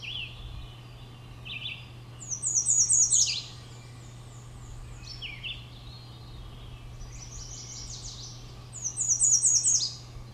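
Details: American redstart singing twice on 14 May 2012 at Great Swamp WMA, West Kingston, Rhode Island: a quick run of high, thin repeated notes ending in an emphatic downslurred note, softer chips between, other songbirds and low hum behind.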